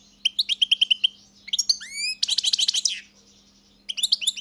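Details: European goldfinch singing a string of evenly repeated chirps, a long sliding whistle, then a buzzy twittering trill and more chirps after a pause, over a low hum.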